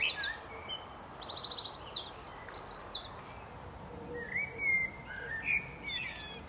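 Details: Common blackbird song: a burst of high, thin twittering notes, then lower, mellow fluted phrases that rise and fall, sung over a soft background hiss.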